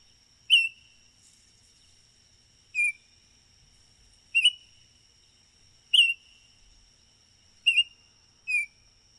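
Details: Baltimore oriole repeating a single short, clear, down-slurred whistle six times, one every one to two seconds, against a quiet background.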